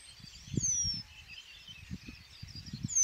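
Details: In spring on the willow-lined Vistula meadows of Żuławy Wiślane, a Eurasian penduline tit gives thin, high, drawn-out descending whistles at the start and end, over low rumbling thumps of wind or handling noise.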